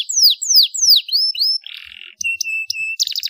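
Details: Short bout from a Starblue panda canary: four loud descending whistled sweeps, a brief buzzy burst, then a thin steady tone broken by quick high chips.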